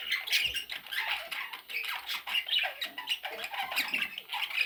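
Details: Parrot chicks calling: constant harsh, raspy squawks and scratchy chatter from several young birds, overlapping without pause in a small indoor space.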